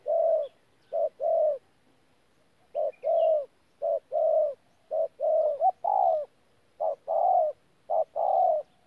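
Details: Spotted dove kept as a decoy, giving thổ pha gù cooing on 14 January 2019: steady low coos in groups of two or three, one pause near the second mark, with a faint higher chirp once in the background.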